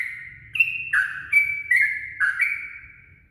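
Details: Before daybreak, a yellow-vented bulbul lure recording gives a few rich, warbled notes, some held and whistled, others dropping sharply, spaced about half a second apart and fading at the end.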